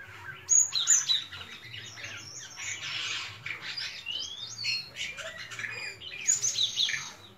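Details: A white-shouldered starling sings a busy medley of high squeaks, slurred whistles and chattering notes, with louder bursts at the start and near the end.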